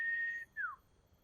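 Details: Wild common iora, one of a family of about four birds near a river: a clean, steady whistled note held for almost half a second, then a short pause and a second whistle sliding smoothly downward. The background is quiet.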